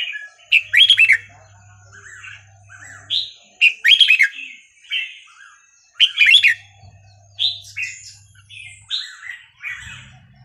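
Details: Burmese song of a red-whiskered bulbul, played to train young birds: loud chirp bursts recur about every three seconds, each followed by softer warbled slurred notes, with a faint low hum underneath.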